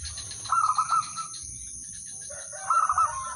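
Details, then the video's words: Zebra dove of the udanmas silver type sings a lure phrase so other doves join in: two short runs of pulsed, slightly higher coos separated by a pause, over a noisy rumbling background and steady hiss. "perkutut/merbok udanmas silver irama merdu spesialis pancingan bikin semua perkutut ikut manggung"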